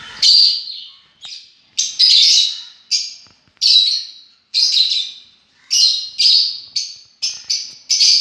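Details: Lovebirds call in a steady run of loud, piercing, rasping shrieks, roughly a dozen short bursts in quick irregular succession.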